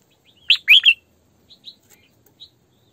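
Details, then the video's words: A captive female red-whiskered bulbul, used as a decoy, delivers a loud three-note warbled phrase followed by a few soft, scattered chirps. "Tiếng Chim Chào Mào Mồi Hót Sổ Bọng Căng"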